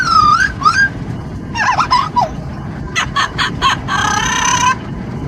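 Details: A pet Amazon parrot riding in a car on a commute gives a string of loud, nasal squawks, some drawn out and wavering, others short and quick, over steady wind and road rumble.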